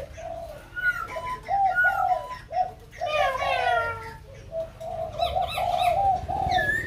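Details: Song of white-crested laughingthrush from Kbang: mellow hooted notes repeated quickly in uneven bursts, one loud rising-falling phrase midway, and thin whistles from other birds scattered over the top.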